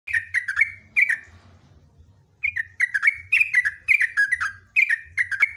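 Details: Sooty-headed bulbul (trucuk) in lively 'gacor' form, giving a loud, long 'ropelan' run of song: bubbly, slurred notes in quick bursts, a pause of over a second, then a denser string of rapid notes. A low steady hum lies beneath.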